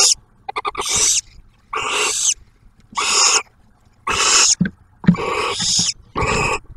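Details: Barn owl giving harsh, breathy hissing screeches, each about half a second long, repeated roughly once a second with a few soft clicks between. Recorded at a nest camera near Oak Harbor, Ohio, as the first-hatched owlet gets its first meal, delivered by the male and shared by the female.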